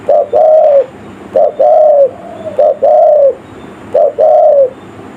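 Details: Village-style lure call of a spotted dove, meant to draw in wild forest birds. It has mid-pitched cooing phrases, each a brief note then a drawn-out, slightly falling coo, given four times at an even pace with faint background hiss.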